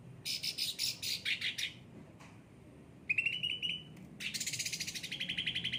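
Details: Yellow-headed kept cucak ranting, pampered and well cared for, singing busily: rapid bursts of sharp, high chattering notes, a brief pause, then a clear ringing trill and a fast pulsing rattle of repeated notes.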